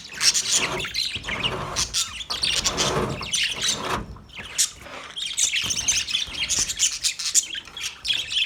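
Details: Male budgerigars chirp and chatter in high, gritty bursts, some with low rumbling background noise.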